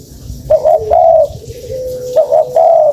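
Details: Lure call of a spotted dove: two low cooing phrases, each a pair of clipped notes followed by a longer, slightly falling coo, over a faint constant hum.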